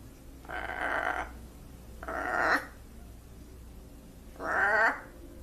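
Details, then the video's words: Pet blue-and-gold macaw, well trained to greet and to imitate crying, repeats three loud, rasping, drawn-out calls, each under a second, spaced about two seconds apart in an indoor setting. "Funny macaw says "whats up" "hello" !!! and even act like crying"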